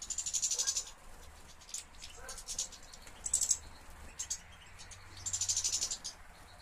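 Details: European goldfinch kept in a breeder's collection of European finches, 2013; short bursts of high, rapid, buzzy twittering separated by scattered single chirps and soft clicks, with low background hum.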